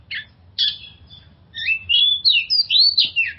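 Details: Lure song of an oriental magpie-robin, meant to relieve stress in other magpie-robins: a short buzzy note, a pause, then a run of high looping whistles and warbles ending in quick sharp notes.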